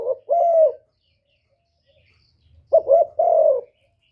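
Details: Spotted dove cooing to provoke males: two low, hoarse coo phrases about two seconds apart, each a short double note followed by a longer drawn-out coo, with silence between.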